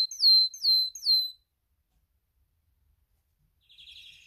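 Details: Spanish timbrado canary male in breeding condition gives three clear downward-slurred whistles in quick succession, then a pause and a faint rapid trill near the end.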